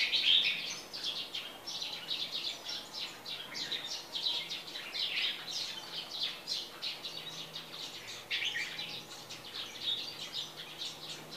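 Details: Moulting captive red-whiskered bulbul from Tây Trà, its plumage whitening with two pale neck rings; a continuous stream of sharp, high chirps and quick twitters in uneven bursts, set against constant faint environmental noise.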